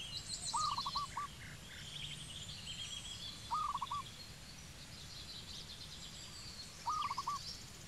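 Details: Zebra dove in Cambodia giving short, rapid, stuttering coos in three bursts about three seconds apart, each a quick run of four or five soft notes, with higher chirps from other birds and a steady low rumble behind.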